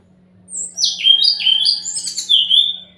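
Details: Lure song of a brown-chested jungle flycatcher, meant to get quiet birds to reply: a rapid string of high, bright whistled notes sliding down and up, dense and slightly buzzy, over a constant low hum.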